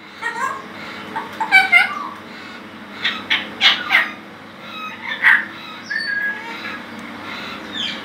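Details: Illiger's macaw, a rescued captive parrot at a bird sanctuary in South Africa, squawking while apparently objecting to the television: harsh, raspy screeches in short bursts, with a woman talking to the bird before and after.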